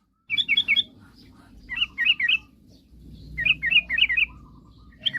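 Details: A sooty-headed bulbul singing energetically to bait rivals into song: three short chuckling phrases of four or five warbled notes, about a second and a half apart, over a low hum.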